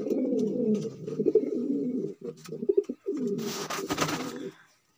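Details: Male magpie pigeon cooing, a low, rolling coo running almost without a break, with a short pause before resuming; a brief rustle or flutter near the end.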